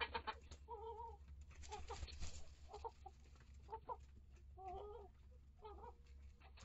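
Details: Hens of several breeds sharing a coop with integrated chicks: repeated drawn-out harmonic clucks and murmured calls every second or so, with occasional clatter and steady low hum.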